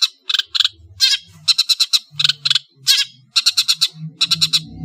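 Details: Long-tailed shrike from Madura delivering rough, rasping bursts in fast clusters of two to five notes, over a faint low background hum.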